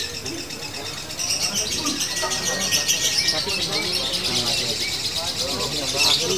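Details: Fighter female lovebird in continuous locked 'ngunci' singing with brief pauses: a shrill, rapid, rasping trill that builds after the first second and runs steadily, with music beneath.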